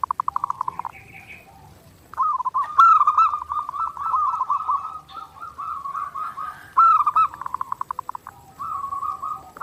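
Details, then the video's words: A perkutut (zebra dove) sings on a clear master recording used for daily training. Rapid clicking pulses open into a sustained rolling trill lasting several seconds, followed by more pulsed coos. "SUARA PERKUTUT GACOR NONSTOP | MASTERAN PERKUTUT JERNIH UNTUK LATIHAN HARIAN"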